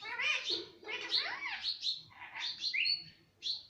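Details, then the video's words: Talking green ringneck parrot, a pet trained to say mummy, papa and mittu, gives fast chattering, speech-like syllables with sliding tones and a few high squeaky notes, separated by short pauses. "ye mittu sab bolta he - parrot talking everything - talking parrot"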